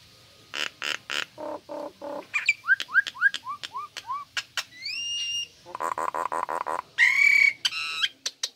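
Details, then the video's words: Pet female Nias hill myna in lively song: staccato harmonic notes, a run of short descending slurred whistles, clear rising whistles, a pulsed buzzy string and a bright ringing final call. "Jalak Nias Gacor Betina"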